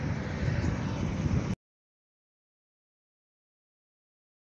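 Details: Brief burst of broad rumbling noise that cuts off into silence, with no animal sounds.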